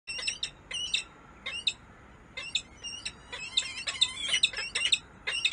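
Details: Peregrine falcon in Harrisburg, USA, giving harsh, grating squawks in short bursts, some single and some in quick doubled or tripled runs, with brief pauses between groups and busier calling toward the end.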